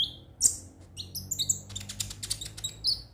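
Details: Brief konin sunbird phrase: one sharp high chirp, then a run of thin twittering notes and a final high whistle, over low background noise.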